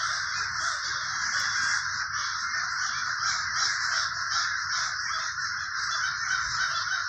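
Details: Crows in the Villa Park neighborhood of Trenton, New Jersey, forming a dense, unbroken chorus of harsh, overlapping caws with a steady pulsing texture throughout and no other clear sounds.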